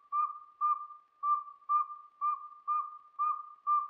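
A Northern Saw-whet Owl gives a steady series of short, even whistled toots, about two per second, on one mid pitch with no other sounds.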